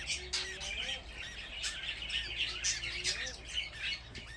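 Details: A group of budgerigar chicks keeps up quick, overlapping high chirps and scratchy squeaks, with a faint, low, sliding whistle showing twice underneath.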